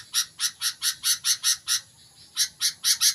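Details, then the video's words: Sooty-headed bulbul beginning to sing intensely: a fast series of short, harsh, bright chips, about four a second, broken by a brief pause and then resumed, with no other clear sounds. "BURUNG KUTILANG MULAI GACOR"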